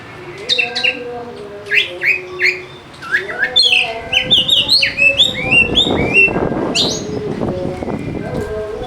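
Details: Oriental magpie-robin (kacer) lure song for lazy birds: a rich, fast sequence of whistled sweeps, chattering notes and trills, growing busier toward the middle, over a noisy low background.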